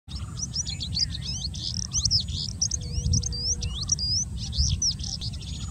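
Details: Oriental skylark singing on Socorro Plateau, Goa, India: a continuous rapid stream of varied chirps, trills and looping whistled notes, mostly high-pitched and unbroken for the whole stretch, over a steady low rumble of background noise.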